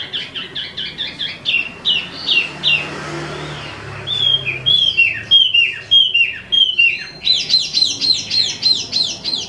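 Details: Imported Wambi mini (Tieu Mi) in steady song: a series of quick whistled notes, a brief quieter gap, then clipped repeated whistles building to a dense high, rapidly repeated twittering run.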